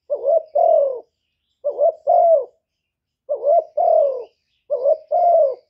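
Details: Spotted dove lure bird cooing, four paired phrases in uneven spacing, a short rising note leading into a longer soft falling coo, no other sounds.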